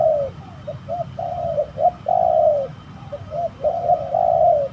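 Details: Spotted dove calling while fighting during bird trapping at a spooky spot: a run of low, mellow coo phrases, brief hiccuping notes alternating with drawn-out slurred coos, over a faint low rumble.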